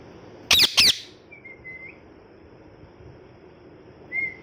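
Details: Angry pet parrot during molt, kept indoors: two quick harsh raspy squawks in succession, then a thin level whistle and a later brief rising whistled squeak against a constant background hum.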